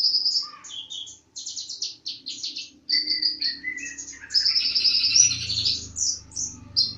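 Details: Bird in full song with rapid high chattering notes, some lower whistled phrases, and a loud buzzy trill toward the end, over faint low rumbling.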